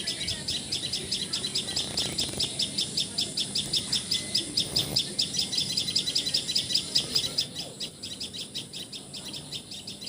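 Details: Common tailorbird in Assam, India, delivering a long, fast sequence of sharp, high, evenly spaced notes, about two and a half per second, over quiet background.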